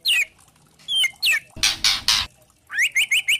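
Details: White-rumped shama with spotted plumage singing to provoke rivals into song: sharp descending whistles, a burst of three harsh broadband rasping notes, then a quick series of rising whistled notes.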